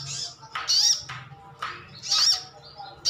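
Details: Kept brown-throated sunbird (sogon ngalas) calling to prompt other birds to answer: sharp high rising-falling chirps in bursts about every second and a half, with a low hum underneath.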